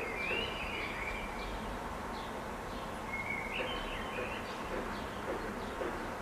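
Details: Two faint, fluty whistled phrases of a common blackbird perched in a tree, a few seconds apart, over a steady hiss of background noise.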